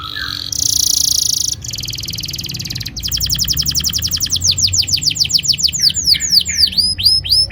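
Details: Canary song used as a lure to get young canaries singing: a fast buzzy trill, then a rapid run of repeated bright notes, ending in swooping downward whistles repeated about four times a second.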